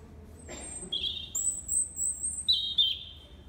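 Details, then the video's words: European robin singing its winter song at sunset in the Kew Gardens greenhouse: thin, high, sustained whistles that jump between a very high note and a slightly lower, sliding one, over a faint low hum. "Song bird - Robin"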